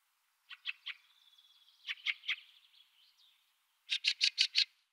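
A Fieldfare gives harsh, chattering chack notes in quick bursts of three and five, with a thin sustained whistle between them.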